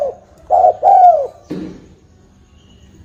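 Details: Spotted dove cooing, used as a lure call for trapping: a short low coo followed by a longer, drawn-out coo that falls in pitch, then a softer trailing note.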